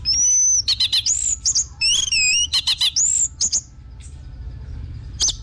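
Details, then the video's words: Orange-headed thrush singing a long high whistle followed by a mix of rapid chatter and wavering, rising and falling whistled phrases, loud and varied, as a lure for caged birds. "PANCINGAN BURUNG ANIS MERAH BIAR TELER DAN GACOR"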